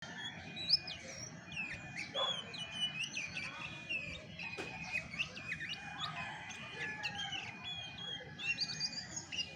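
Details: Chestnut-backed thrush (Geokichla dohertyi) in its natural voice: a varied, busy song of short high whistles, slurred notes and quick chips, delivered in dense bursts over a steady high tone and low background hiss.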